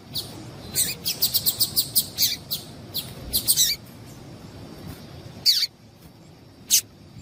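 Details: Female yellow-bellied seedeater, whose call serves to excite males: a rapid run of about a dozen sharp high chips in quick succession, then a pause and two more isolated chips, over faint steady background noise.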